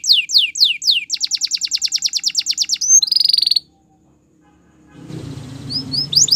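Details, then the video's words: Belgian canary singing in the morning: rapid high descending sweeps, then a fast even trill of clipped notes and a brief buzzy roll, a pause, and renewed whistled rising notes over low background rumble. "Canary Singing In The Morning | Belgian Canary Song"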